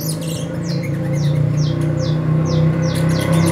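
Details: Young saffron finch of four months, starting its nest moult, repeats thin, high chirps that slide downward, roughly two to three per second, over a loud, constant low hum.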